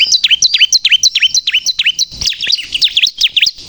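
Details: Vigorous bar-winged prinia song, meant to lure and provoke other birds: rapid, regular, high chirps, each sliding sharply downward, about three a second, growing busier and buzzier toward the end.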